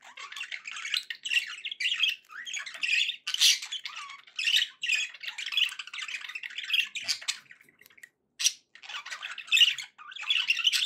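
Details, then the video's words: Cheerful budgerigar chatter kept as pets, a steady stream of buzzy, scratchy warbling notes with sharper squawks now and then and one short break near the end. "happy budgie sounds"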